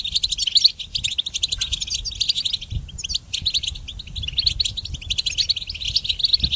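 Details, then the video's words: High, jangling goldfinch song for training other songbirds: quick twittered phrases and rolling trills in bursts separated by brief breaks, set over a soft low rumble. "Harmonious Connection Motivation in Goldfinch Song Training"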